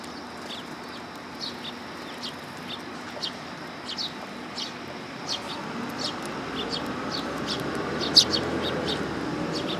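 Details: Willow tits coming for food at a Tenmangu shrine on 1 September 2022; many short, high, thin call notes come in quick irregular succession over a steady low background hiss, with one sharper note near the end.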